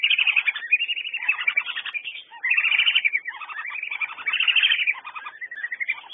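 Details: Several whistling ducks giving thin, rising and falling whistles that run together into a steady chatter, fading slightly in the middle before swelling again.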